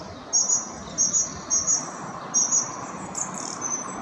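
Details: Song thrush (Turdus philomelos) repeating a thin, very high double note about every half second, four to five times in a row, a repeated motif typical of its melody-repeating song, over faint background hiss.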